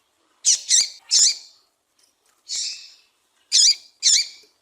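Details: Female double-collared seedeater calling to excite the male: six short, high, sharp chirped notes in two quick pairs and singles, with a softer buzzy note midway, over a silent background.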